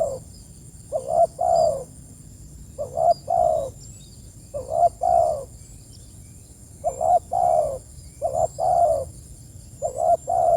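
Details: Spotted dove cooing to its companions in a steady series: each phrase pairs a brief bent note with a longer, slightly falling coo, phrases spaced one to two seconds apart, a faint electronic-sounding whine underneath.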